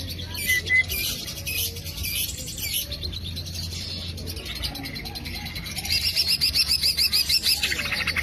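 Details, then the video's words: Green leafbird song for luring or training birds: a short whistled note, then scattered high chirps and twitters, ending in a rapid, evenly pulsed series of sharp high notes, over a low background hum. "PANCINGAN CUCAK IJO AMPUH PALING DI CARI"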